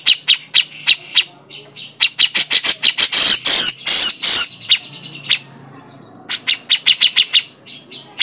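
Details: Grey-cheeked bulbul lure recording meant to draw out singing, with sharp, loud calls. Rapid runs of short, sharp, harsh notes, about three per second, break into a dense burst of broad grating squawks midway, then resume as quick clipped notes.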